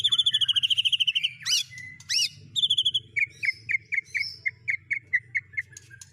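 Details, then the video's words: Song of a white-rumped shama mimicking speed cililin, canary and lovebird: a rapid buzzy trill, two loud rising whistles, another trill, then a steady string of short sharp notes spaced evenly. "Burung Murai Batu MU KURANG GACOR., BONGkar Isian speed cililin, kenari, love bird Dll..!"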